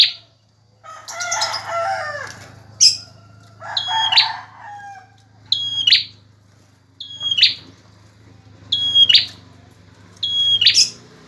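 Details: Vigorously singing male bar-winged prinia used to train other birds. An opening stretch of harsh, dense chatter gives way to six clipped phrases, each a level piping whistle ending in a buzzy flick, roughly every one and a half seconds.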